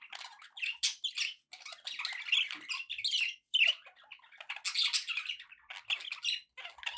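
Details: Pet budgerigars chattering happily indoors: dense bursts of scratchy warbles, squeaks and chirps, broken by short pauses, with busy overlapping notes throughout.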